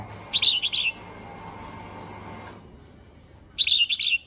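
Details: Female red-whiskered bulbul calling to excite males: a quick bright warbled phrase of four or five slurred notes, heard twice about three seconds apart, with a low steady hum beneath the first phrase.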